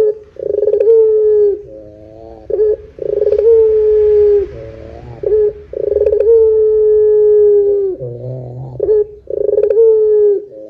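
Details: Repeated lure cooing of a Barbary dove in the long 'pelung' style: four drawn-out low coos about every three seconds, each opening with a throaty roll and linked by short deep grunting phrases.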